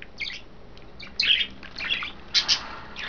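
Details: Pet budgerigars, five kept together, three females bathing in vegetables or a raised water dish, 09.02.12; quick bursts of sharp high chirps and squeaky twitters, loudest in the second half.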